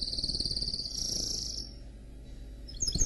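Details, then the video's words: Canary x goldfinch hybrid (mule) singing: a high rapid trill held about a second, then a brighter buzzy stretch, fading to quiet with a few sharp notes at the end; low rumbling background hum throughout. "Chant Mulet Canari X Chardonneret"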